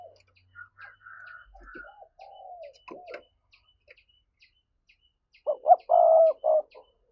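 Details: Spotted dove urging coo ('gáy thúc') used to lure wild doves: soft, mellow falling coos and scattered faint notes lead into a loud burst of rapid hoots and a long low coo near the end.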